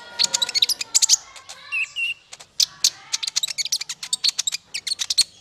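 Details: Brown-throated sunbird male, konin, in a continuous fast song used for tutoring songbirds: dense, high, ticking chirps strung together with a few brief whistled notes.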